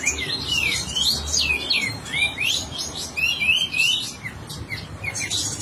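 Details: Sooty-headed bulbul singing vigorously with tail spread, a clear recording used for training other birds: quick bright whistled notes, many upslurred and downslurred, tumbling in a busy run over a soft low background rumble.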